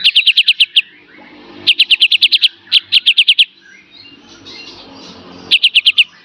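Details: Kapas tembak master song, full beset and tembak style, for teaching cage birds: several clusters of fast, staccato high chips repeated in short runs, with quiet gaps and faint background murmur.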